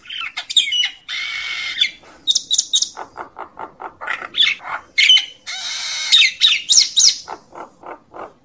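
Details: Calling its flock, a common myna gives harsh buzzy rasps, squeaky whistles and quick chattering chack notes, repeated in uneven bursts with short gaps.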